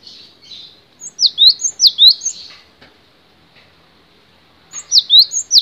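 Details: Cinereous tit song with soft buzzy notes at the start, a short burst of sharp swooping two-note phrases, a long quiet gap, then the phrases resuming at the end.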